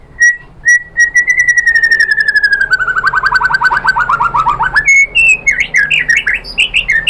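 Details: White-rumped shama song to prompt other shamas to sing: two clear whistles, then a long fast trill sliding gradually downward, ending in quick rising and falling notes.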